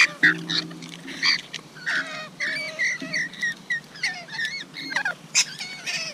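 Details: Rainbow lorikeets chatter noisily while feeding, with rapid overlapping squawks, buzzy notes and bent whistles tumbling one after another and a faint low drone at the start.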